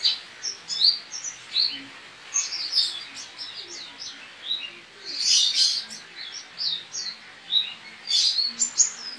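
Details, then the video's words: A white-eye (owner in Pontianak, West Kalimantan; an online song-contest entry) sings a rapid, high, tumbling twitter of thin whistled and chirped notes in bursts, almost without pause. Its care is a daily misting and an hour of sun, 7–8 am. "Aksi Pleci"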